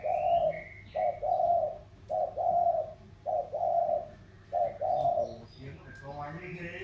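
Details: Spotted doves in a cooing contest, a lowland bird from the riverine Mekong delta of Sóc Trăng against a mountain bird from Cam Ranh, Vietnam; mellow phrases of a short coo then a longer one, repeated every second or so, with some chirps and a man talking.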